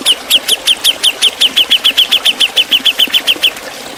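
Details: Javan cucak jenggot, recorded as a training master for songbirds, delivering a sharp ngepik beset series: crisp, high, downslurred chips repeated about five times a second for three and a half seconds over a steady background hiss.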